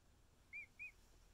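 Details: Emu chick, male and a little over a week old, nestled with keepers: two short, clean whistled peeps, each an arched rise and fall, about a quarter second apart.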